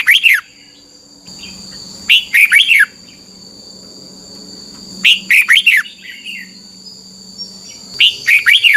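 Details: Red-whiskered bulbul song from Thailand, played to help young caged birds learn quickly. Short bursts of three or four quick, warbled whistled notes repeat about every three seconds over a steady, high, insect-like hum and a faint low drone.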